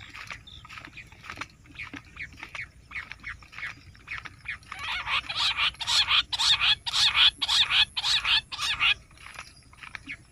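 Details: Bush quail call for hunting: harsh, scratchy notes in short bursts, about two per second, growing louder and denser midway before fading.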